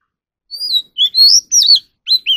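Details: Oriental magpie-robin practising competitive singing, giving a few loud, sweet whistles in quick succession. The notes slide up and then drop, with short gaps between phrases.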